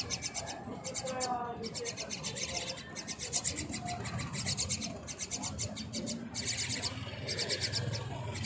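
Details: Myna chicks being fed by their mother give harsh, raspy begging calls in rapid, repeated, high, insistent bursts over a low background murmur.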